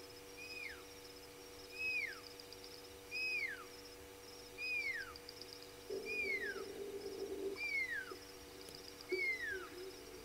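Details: Nightjar calling at night at a waterhole, Gowrie dam on Djuma Game Reserve, Sabi Sand, South Africa: clear downslurred whistles repeated about every 1.4 seconds, over a steady low hum and a brief burst of noise midway.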